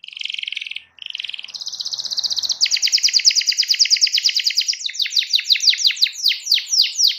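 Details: A canary sings vigorously, described as calling out to a rival: two short buzzy trills, then a long rapid rolling trill rising in intensity, closing with a run of quick descending whistled notes.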